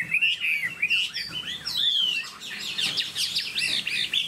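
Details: Captive Chinese hwamei singing clear arched whistles in quick succession, then a long sweeping whistle followed by a burst of fast twittering notes.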